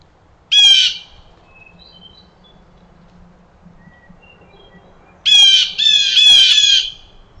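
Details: Agitated blue jays mobbing a canid, possibly a wolf, in a Maine forest: one short harsh scream, a quiet pause with faint thin whistles from other birds, then a burst of three or four rapid raspy screams.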